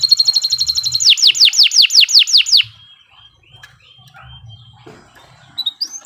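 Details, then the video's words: Kenari Nusantara canary singing as a master for training other birds: a quick buzzy trill leads into a run of loud whistled notes sweeping steeply down, then the song fades into soft, scattered faint notes. "Kicau Burung Kenari 103 II GACOR PANJANG Cocok untuk Masteran"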